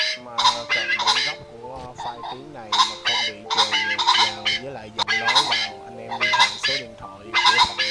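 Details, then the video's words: Males and females of red junglefowl in a flock, calls used as a lure: rhythmic raspy clucking bursts layered over steady low hum-like tones, recurring about once per second. "Tiếng Chim Trĩ Đỏ Và Trĩ Bãy Màu Xanh Vàng Kêu Bầy Trống Mái 2024"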